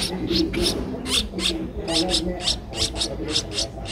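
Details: Streak-eared bulbul nestling aged 12 days, recorded 14 April 2023 in Ubon Ratchathani, Thailand, giving sharp high chirps about three per second with uneven spacing, low murmur underneath.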